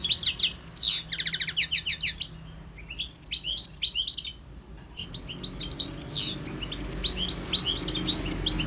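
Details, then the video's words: Wild European goldfinch in full song, opening with fast tinkling trills and rolling twitters, a brief lull mid-way, then a busy run of sharp, sweet chirps and slurred notes over a soft background hum. "GOLDFINCH SINGING 1H Chant Chardonneret اسمع واستمتع صوت الحسون البري Jilguero Campero"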